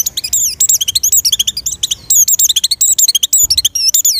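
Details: Oriental white-eye in breeding condition, its song used to lure other white-eyes: a fast, loud torrent of high whistled notes with twisting rising and falling slurs, nearly continuous with short gaps, clean background.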